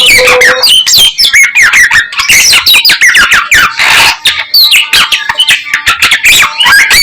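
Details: Young garugiwa in lively, persistent song with a thousand varied notes: dense bursts of rapid chirps, sharp upslurred whistles and squeaky trills tumbling one after another, with a brief steady whistle at the start and hardly a pause.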